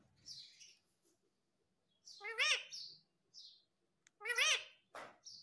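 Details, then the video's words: A talking parrot mixes soft high chirps with two loud, harmonic, arching calls spaced about two seconds apart. "Natural Parrot Sound ❤️ talking Parrot mummy papa"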